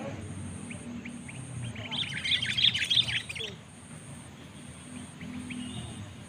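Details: A sooty-headed bulbul challenging a rival bird in a luring contest lets out a dense, chattering burst of notes for about a second and a half, between faint chirps, low rumble and a pulsing high whine.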